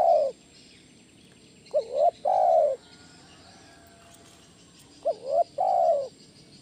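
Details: Spotted dove lure call of the 'kuk 1' style, meant to attract and train other doves: the tail of one coo, then two phrases of two quick upswept notes followed by a long, smooth, slightly descending coo.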